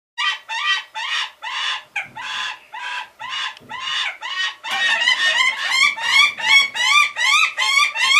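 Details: Pair of albidus northern goshawks copulating, recorded in 2012: loud, harsh, wailing notes repeated about twice a second, growing faster, higher and more insistent in the second half.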